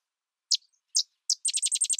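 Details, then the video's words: Sedge wren: three crisp, very high chip notes, then a hurried, even chatter of staccato notes running to the end, dry and mechanical in tone. "Sedge Wren Bird Sound"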